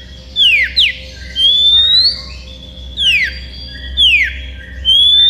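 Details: Oriental magpie-robin (Copsychus saularis), song: challenging a rival, seeking an opponent.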